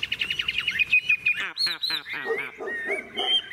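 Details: {'caption': 'Two caged hwamei side by side in a singing contest; loud, clear whistled notes give way to harsh, rasping bursts, then a wavering, fluty phrase, all delivered fast and with force.'}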